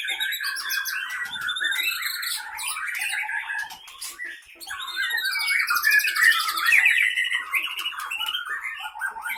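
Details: White-rumped shama, Aceh Leuser Pining type from Gayo Lues, caged and fighting; rich, rapid song of trilled rattles, buzzy notes and whistled sweeps, briefly softer midway before swelling again.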